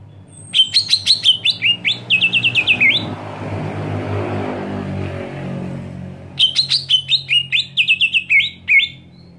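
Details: Greater green leafbird screaming to provoke rival leafbirds: two bursts of rapid sharp chattering notes, each ending in a lower slurred note, separated by a few seconds of broad rushing noise and hum.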